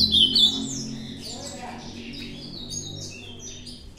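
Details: Ultramarine grosbeak, a contest bird, opens with sharp loud whistled notes, then continues with fainter, varied chirps and slurs over a low humming background.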